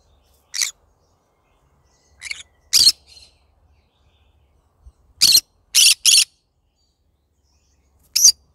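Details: Pet yellow-sided green-cheeked conure calling in the morning: seven short, harsh, screechy squawks spread irregularly over several seconds, some in quick pairs, with quiet gaps between.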